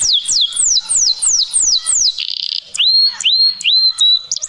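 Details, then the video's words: Canary singing: a run of clear whistled notes sliding sharply downward, repeated about every quarter second, then a short buzzy burst and a few rising, swooping whistles. "Canary voice"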